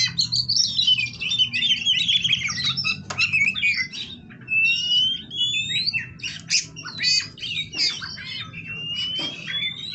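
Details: Bred captive white-rumped shama delivering an energetic medley of fast chatter, harsh squawk-like notes, clicks and long upslurred whistles, phrases following closely with brief gaps, while a low droning hum runs underneath.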